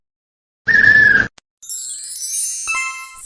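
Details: A short noisy burst with a steady tone, then a bright chiming jingle with high sustained notes; no animal voice is heard.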